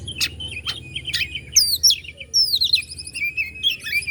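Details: Oriental magpie-robin from Bandung, Indonesia, singing to provoke other magpie-robins: clear sweet whistles and fast descending slurred phrases strung together, with a few sharp chips at the start.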